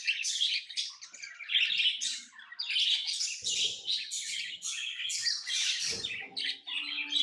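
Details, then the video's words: Busy, unbroken twittering from pet lovebirds, sharp high chirps tumbling over one another with scratchy squeaks and occasional soft low knocks. "lovebirds chirping sounds"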